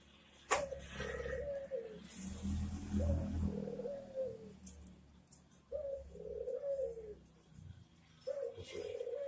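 A Barbary dove gives soft, rolling coos of about a second and a half each, repeated every two to three seconds, over a low background rumble.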